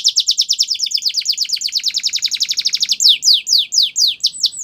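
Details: Belgian canary singing: a fast trill of about twenty-five rapid high repeated notes for three seconds, then a slower series of downward-sweeping whistled notes, each clean and loud, with no other sounds.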